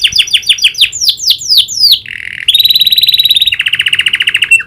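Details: Caged canary singing in full voice, trained to include the prinia's clicking call: a row of quick descending sweeps, then a buzzy steady trill and a fast pulsed roll.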